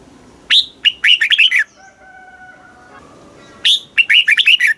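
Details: Song of a caged red-whiskered bulbul, southern Thai master-song style used to rouse and teach birds: two quick chattering warbled phrases separated by a pause with a faint steady tone in the background.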